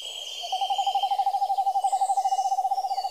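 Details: Owl giving a long, even trill of rapid low pulses, about three per second, held steady in pitch for nearly three seconds, with faint high insect-like hiss in the background.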